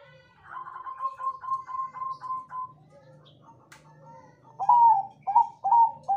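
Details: Bangkok zebra dove lure song for prompting other doves to reply: a soft run of about ten quick, even notes, a short pause, then three loud, clipped coos with an upward flick.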